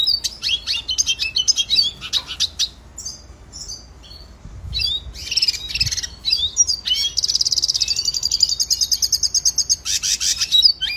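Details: Training song of the red siskin, a small South American finch: varied twittering chirps and slurred high notes with short gaps, building into a sustained rapid pulsing trill held at a high pitch near the end.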